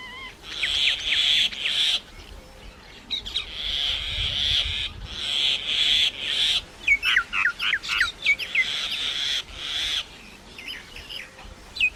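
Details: Common myna making many different sounds: long harsh buzzy bursts alternate with quick runs of sharp chirping notes, the pattern repeating over several seconds.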